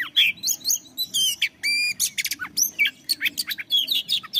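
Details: Oriental magpie-robin song to trigger singing in other birds: mixed harsh squawky notes and clear whistles, a sustained harmonic whistle, sharp descending chirps and quick twittering phrases, all loud and continuous.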